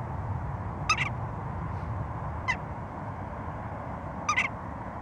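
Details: Western jackdaw giving brief, abrupt chak notes, the first and last as quick doubled pairs and a single note between them, all over a constant low-pitched hiss and hum.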